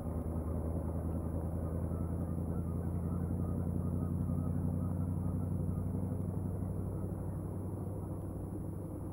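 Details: Steady low engine rumble with a constant mechanical hum, like a nearby vehicle idling, and no animal calls.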